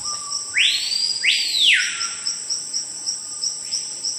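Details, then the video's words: A screaming piha, a forest bird said to call when people or large animals enter its territory, gives a long low steady whistle and then two explosive whistles rising and dropping, while insects buzz continuously high above. "Som do passáro capitão do mato"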